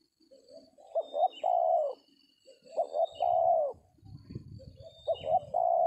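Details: Tekukur, the Spotted Dove, cooing at a trapping spot with a decoy in an oil palm plantation; three repeated phrases of two quick clipped notes and a drawn-out mellow coo, with a brief low rumble and distant thin bird whistles.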